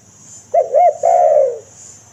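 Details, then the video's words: Single spotted dove phrase of the kind used to lure wild doves: two quick rising notes, then a long mellow coo sliding down. A faint high hiss sits in the background. "Suara Derkuku Paling Di idamkan Pemikat Tekukur - Suara Raja Pikat Tekukur 2023"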